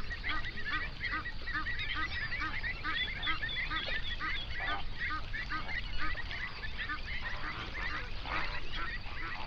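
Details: Hundreds of flamingos on a lake in a South African national park, Overberg region, recorded binaurally at dawn: rapid, busy chatter of short honking notes from the whole flock, continuous and dense throughout.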